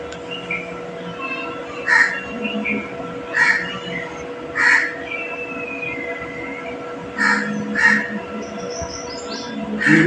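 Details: Pet green parrot giving short, harsh, raspy squawks in uneven bursts, about six across ten seconds, with a few thin whistled notes between them, while a person repeatedly asks it for its paw.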